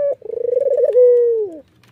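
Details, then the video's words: A white Barbary dove with red eyes, nodding and laughing, utters a short note followed by a rolling, vibrating trill and a clear drawn-out tone that falls away at the end. "suara puter putih mata merah ini ngangguk dan tertawa"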